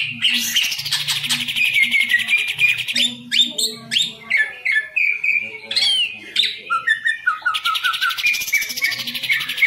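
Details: Contest-kept green leafbird in a cage singing a rich medley: a rattling buzzy trill, then clipped whistles and chips, more slurred whistles, and another long buzzy trill at the end, with a faint low hum behind.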